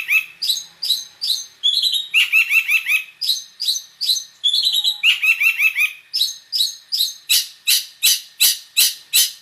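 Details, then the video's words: Long-tailed shrike in full mixed song with mimicked fill phrases, a tutor recording. Varied rapid chattering phrases and trills change every second or so, ending in a run of evenly spaced sharp clicking notes. "Suara Cendet Campuran Isian Full"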